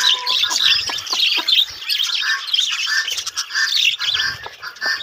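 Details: A colony of breeding budgerigars chatters nonstop: layered twittering, squeaky chirps and short harsh squawks from many birds at once, with faint knocking sounds in the background.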